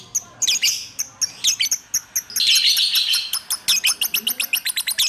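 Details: Lovebird singing in ngacor style, a nonstop chatter: crisp high chirps, a buzzy trilling stretch in the middle, then quick regular chips repeated several times a second to the end.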